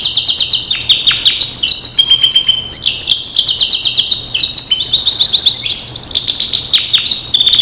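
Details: Starblue canary singing as a training master for other canaries: a fast, dense stream of high trills, sharp chirps and slurred whistles, rolling continuously with rapid repeated notes and buzzy bursts, over a faint low hum.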